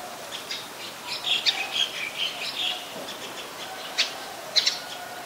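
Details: Olive-backed sunbird (Cinnyris jugularis) recorded at a home in February gives thin, high chips and short twittering notes in an irregular run, with two sharper ticks near the end, over faint background hiss.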